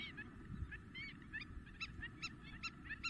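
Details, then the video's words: Spur-winged lapwing, Greece, April 2023, intense calling. Scattered softer notes give way to crisper, ringing metallic notes at an uneven quick pace, over a noisy low background. "Αγκαθοκαλημάνα - Spur winged Lapwing intense call !"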